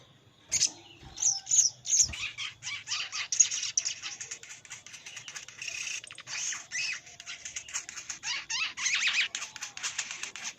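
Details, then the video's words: Rival-summoning lure call of a crimson sunbird, used to bring wary wild birds down into a trap: a fast, unbroken run of thin high ticks and chirps that swells into a dense chattering stream lasting several seconds. "Suara pikat sogon paling ampuh_ sogon manggil lawan untuk pikat"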